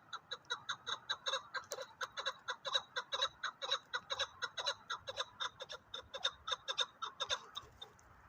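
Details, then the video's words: Chukar partridges, game birds, give a steady run of short harsh clucking notes, about two per second, each a stacked burst of tones, continuing without pause through the recording against quiet background. "КАБКИ ШИКОРИ"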